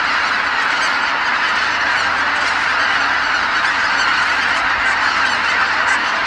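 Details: Geese returning at nightfall to Kabukuri-numa marsh, a flock of tens of thousands calling in unison after feeding; thick, constant chorus of nasal honking, evenly loud from start to finish, with a faint low hum underneath.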